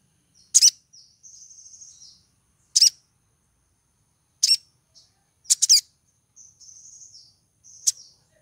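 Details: Female sogon in breeding condition calling to draw a male: loud, sharp high chips, one pair in quick double bursts, alternating with thin, buzzy, slightly wavering high trills, on an otherwise quiet background.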